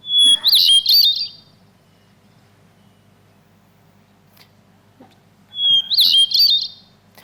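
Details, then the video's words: Hermit thrush song played back in a lecture, a North American bird: two short songs about five seconds apart, each opening on a clear sustained whistle then breaking into fluty, rising-and-falling trills high in pitch, separated by a longer silence with faint background hum. "Here is the song of one of my favorite North American birds, the hermit thrush, which uses patterns on many levels."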